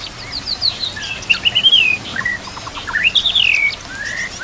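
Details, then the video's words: Training song of a white-rumped shama, isian-style with mixed fill-in phrases, recorded with nature sounds and trickling water; long sweeping whistles falling and rising, with scattered soft chirps between phrases. "MASTERAN MURAI BATU ISIAN komplit"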